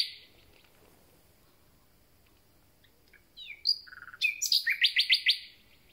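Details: Newly arrived common nightingale. A faint note fades, silence follows, then scattered chirps and whistles build into a quick run of loud repeated notes before stopping.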